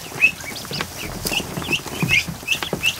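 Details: Newly hatched ducklings, over a hundred of them, in a kiddie pool in a barn on an afternoon; shrill high peeps rise and fall, about six in three seconds, over a soft background of rustling and splashing.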